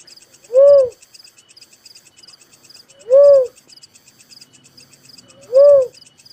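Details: Three evenly spaced, mellow, hooting notes from a little cuckoo-dove, each brief and arched, repeated roughly every two and a half seconds against a constant chorus of high insect chirps.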